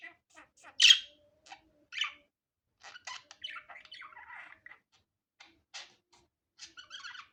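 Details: Unedited natural budgerigar sounds: scattered soft ticks and chirps, one loud shrill squawk near the start, then a quiet, scratchy warble and a few more thin chirps.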